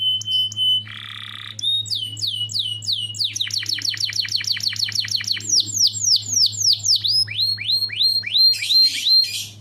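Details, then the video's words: Energetic canary lure song: a fast varied song of high whistled notes, a buzzy burst, then long runs of rapidly repeated downward-sweeping trills, ending in a harsh rattle, over a steady low hum. "PANCINGAN KENARI GACOR"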